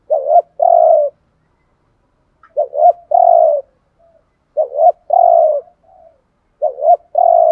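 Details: Caged decoy spotted dove in the thúc gù cooing style: four soft, low phrases, each a short hiccuping double note leading into a drawn-out hollow coo, spaced about two seconds apart, with no other sounds.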